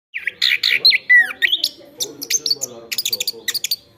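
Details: Chestnut-backed thrush singing energetically, offered as tutor song for training other birds; a rapid, varied run of sweet whistles, slurred falling notes and sharp high chips, many notes a second, with faint music in the background.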